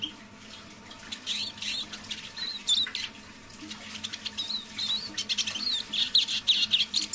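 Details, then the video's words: Decoy Eurasian siskin singing softly, in half voice, in the evening; faint scattered notes build into a run of thin high twittering trills toward the end, with clicks and light tapping noises around. "Песня моего манного чижа"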